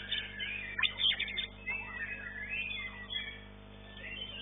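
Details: White-rumped shama competing at a singing contest, class A, session 2, third place; bursts of loud whistled notes followed by long flowing warbled phrases with sliding pitch, then a brief pause before the song resumes.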